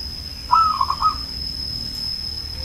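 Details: An aged zebra dove from Banyumas sings one brief coo: a clear opening whistle running straight into quick rolling pulses. The rest is quiet apart from a faint high steady tone.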